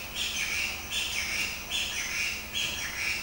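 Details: An eight-year-old pet budgerigar that loves to sing and mimics Chinese bulbul calls chatters in a steady run of high, scratchy warbles and squawky chirps, the phrases rising and falling about once a second.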